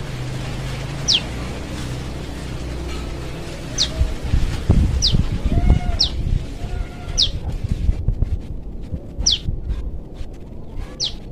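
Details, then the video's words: Wild young prinia in forest calling to its parent, giving brief high downslurred notes repeated every one to two seconds, with low rumbling noise and faint other sounds beneath. "SUARA PRENJAK LUMUT ANAKAN/MUDA HUTAN MEMANGGIL INDUKNYA"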